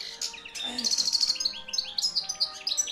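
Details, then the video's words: Hand-reared young goldfinch of 2013, a field-type bird kept in a cage, singing strongly with fast, bright, high-pitched twitters and a short sparkling trill, notes tumbling in quick succession. "JILGUERO CANTANDO FUERTE"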